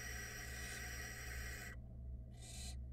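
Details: Barn owl nestlings in a Florida nest box camera: a long harsh hissing rasp ends abruptly, and after a short quiet gap one more brief hiss follows.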